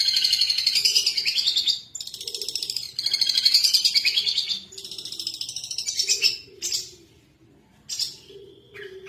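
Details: Lively long-tailed shrike song, a lure for prompting other birds to sing. Long scratchy, buzzy chattering phrases of several seconds each run unbroken. Brief pauses separate them, with a softer, fading phrase near the end.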